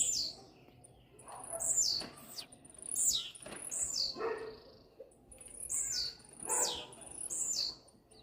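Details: A blue-black grassquit sings rapidly to another bird, repeating a short high-pitched buzzy note that swoops downward, about six times over eight seconds, with little else audible.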